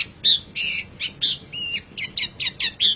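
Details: Pet long-tailed shrike song used as training material for caged birds: a short burst of harsh, scratchy notes with a few rising whistled slurs, delivered in an uneven fast series.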